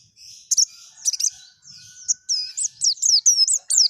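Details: White-eye, known as pleci, in forest-style song: high thin chirps and whistles that grow into sharp, looping high notes repeated about every quarter second.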